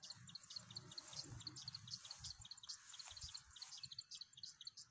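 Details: Plain Prinia (Plain Wren Warbler) calling in Magadi, India, on 23 September: rapid, high, thin chipping notes repeated throughout, with a faint low rumble of distant background noise.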